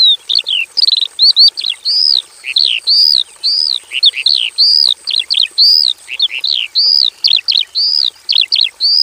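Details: Javan bush lark in a simple aviary pours out a rich song of arched, rising-and-falling whistled notes and quick doubled chirps in an unbroken sequence, with a faint steady high whine behind.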